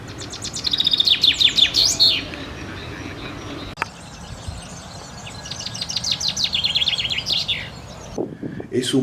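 Two bright, rattling descending trills from a male chaffinch, each speeding down the scale and ending in a brisk flourish, over a soft rural hiss.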